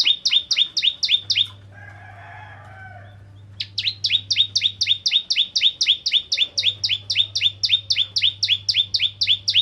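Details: Lure song of a Ciblek Kristal Bar-winged Prinia meant to make other prinias sing: rapid two-toned high chips, almost four a second, pause for two seconds, then a long fast unbroken series, with a faint hum beneath.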